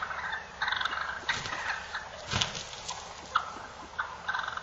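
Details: Wild turkey toms fighting, with rough, chattering call bursts and a heavy thump near the middle, the calls coming in short uneven groups.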